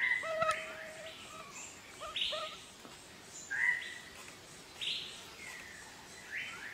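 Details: Malabar grey hornbill calling in Kerala: bursts of bright, squeaky upswept notes alternate with lower, steady whistled tones and short clipped notes, five or six loud bursts over about seven seconds against a quiet background.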